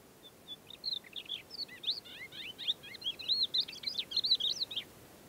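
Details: Thekla lark singing at first light in the stony desert of Boumalne Dades, Morocco, March: a rapid, varied run of twittering and warbled whistled notes lasting several seconds, growing richer toward the end, over soft background noise.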